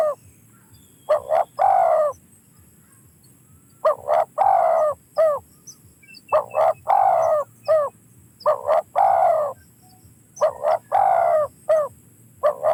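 A spotted dove gives soft, husky cooing phrases of three to five notes, the middle note drawn out, repeated every two to three seconds against a quiet background.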